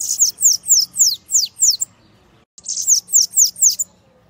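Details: Bananaquit singing the Costa Branca song in two phrases, each a rapid series of high, sharply descending buzzy notes at about four per second, with a short pause between phrases and faint low hum beneath.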